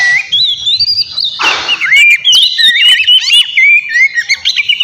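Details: A White-rumped shama sings to provoke a rival, mixing clear looping whistles with a harsh hissing burst, then rapid buzzy notes and slurred phrases in a loud, restless sequence.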